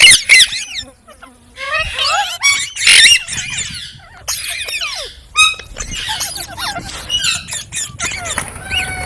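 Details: Green parrots giving bursts of piercing squeaks and squawks separated by short quiet pauses, with softer scattered calls in between.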